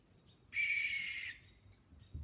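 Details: One of several Great Horned Owls living in a wooded patch in the countryside screeches at night: a single harsh, hissing, high, rough screech under a second long against quiet background; possibly another owl flying in and out.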